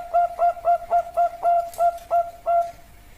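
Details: Bangkok-type perkutut, a zebra dove, giving nine short, soft, even coos at about three per second before falling quiet.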